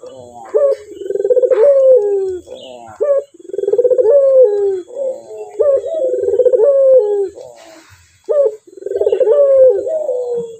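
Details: A male Barbary dove coos repeatedly and clearly, short introductory notes leading into rolling, falling coos, the phrase recurring roughly every two and a half seconds.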